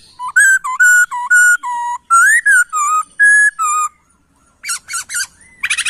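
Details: Laughingthrush master recording used to train songbirds: a loud, clear series of steady whistled notes, some level and some rising, each about a third of a second long, then a pause and short sharp upslurred whistles.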